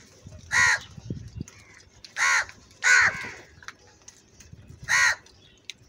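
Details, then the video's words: An angry crow calls loudly with four raspy caws. A lone caw comes first, then two close together, then a final one after a longer gap, over quiet background hiss. "Very loud voice of Crow sound - Angry kauwa ki awaz"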